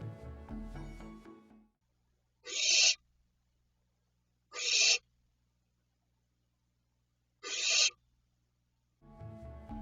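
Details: Barn Owl begging call, given by chicks in the nest or by females during feeding: three harsh, breathy, repetitive hisses, each about half a second long and two to three seconds apart, like a squeaky wheel. Music plays before and after.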